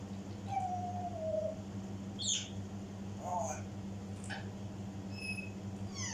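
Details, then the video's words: Indoor African grey parrot mimicry mixing a long level whistle, harsh meow-like and speech-like sounds, and short high whistled pips near the end, above a steady electrical hum. "African gray parrot mimics"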